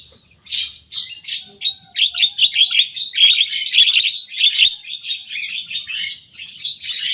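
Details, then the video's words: Young Javan myna in full song, imitating rivals' songs: a dense, fast run of harsh chattering and squeaky notes, roughly 105 bursts a minute, unbroken for about seven seconds with no other sounds. "Jalak kebo muda gacor bongkar suara lawan."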